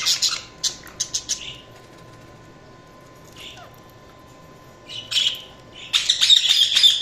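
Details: Budgerigars giving a few quick sharp chirps at the start, then a quiet stretch with a soft hum, before a louder burst of rapid scratchy chatter near the end.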